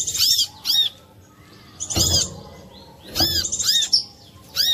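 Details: Chinese hwamei singing clear, ringing whistled notes in short arched bursts, one burst roughly every second, over a faint low background hum; a lure recording meant to prompt other hwamei to sing.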